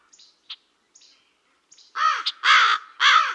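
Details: Soft high chirps from other birds give way to three loud, grating caws from a black crow in quick succession.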